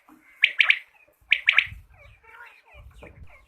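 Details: Quail call used for hunting: two clipped triplets of sharp, bright notes given in quick succession, about a second apart, followed by faint mixed background sounds and low rumbling.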